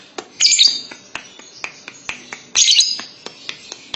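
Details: Lovebird singing a long trill (ngekek panjang): two loud, harsh chirp bursts about two seconds apart, separated by sparse dry clicks.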